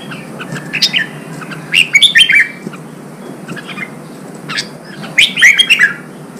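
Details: Red-whiskered bulbul song from Vietnam, played to stir newly caught birds into fighting and full voice: two bursts of bright, warbled whistled notes, the first near two seconds and the second near five and a half, over a soft hiss.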